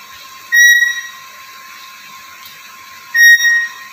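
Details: Black-capped lory, a talkative, very vocal bird, giving two clear level whistles about 2.6 seconds apart, each bright with ringing overtones, over a steady background hiss.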